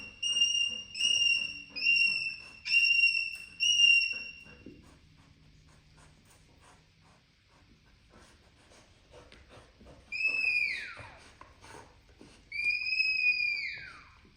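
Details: Pet parrot sharing a home with a golden retriever whistles steady high notes in four quick bursts, then after a pause gives two loud calls that bend sharply downward; indoor setting with faint background noise.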